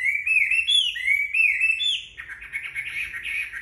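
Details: Freshly bathed Chinese hwamei sunning itself and singing: rich rising and falling whistles in a continuous phrase, switching midway to a rapid, harsher warbled chatter.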